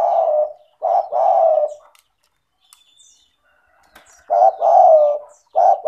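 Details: Spotted dove in strong voice, offered as a lure for doves that will not call: rounded, low coos in two-note phrases, separated by about two quiet seconds with a faint click.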